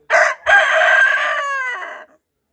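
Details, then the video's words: A rooster kept with laying hens answers distant roosters' crowing with one loud, harsh crow: a short opening note, then a long, strained, drawn-out phrase that falls in pitch and fades. "Horoz Sesi"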